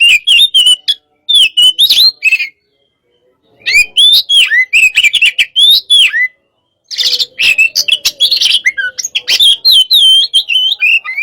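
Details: Hot-type white-rumped shama, caged and sparring, singing bursts of sharp whistles and chattering notes separated by brief pauses, the last burst dense and buzzy, with a faint low hum beneath.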